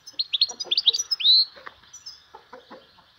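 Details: European goldfinch, a vanlı melik, sings in spring: a fast run of sharp twittering chips climbs into one sustained ringing whistle, followed by quieter scattered notes.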